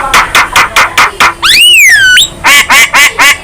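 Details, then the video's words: Young Javan myna singing while head-bobbing: six nasal quacking notes in steady rhythm, a long descending whistle that snaps upward, then four more harsh nasal notes. "Kicauan Jalak Kebo Muda Gacor"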